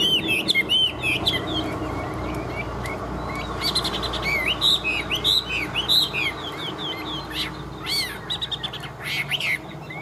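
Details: Caged Chinese hwamei kept for competitive singing, tail fanned and wings flicking: rich varied song of loud whistled phrases, quick up-and-down slurs and sharp high notes, delivered in bursts with brief gaps over faint low hum.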